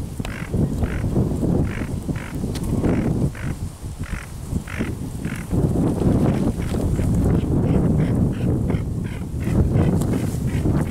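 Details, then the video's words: Tufted ducks, a male and a female, recorded on 5 May 2023: short, harsh, clipped notes repeated in rapid series, roughly three to four per second with brief pauses, over a heavy, steady low rumble of wind. "Czernica - samiec i samica"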